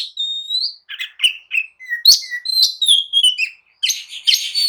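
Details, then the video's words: Oriental magpie-robin, singing agitatedly to taunt rivals into answering and fighting, gives a long rising whistle, then lower slurred notes and chips, a short silence, and a dense harsh chattering close. "kicau kacer gacor emosi! jadikan kacer loyo langsung nyaut dan tarung emosi"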